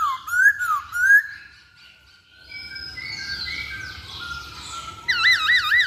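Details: Masked laughingthrush lure song: ringing whistled phrases that rise and fall, then a soft jumble of warbling and a loud, rapidly wavering whistled trill at the end.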